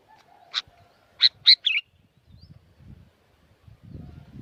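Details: Sooty-headed bulbul in noisy, vigorous song at Curug Agung, Subang, West Java, Indonesia. A burst of three sharp chirps leads into a warbling slurred whistle, then quiet with soft low rumbling.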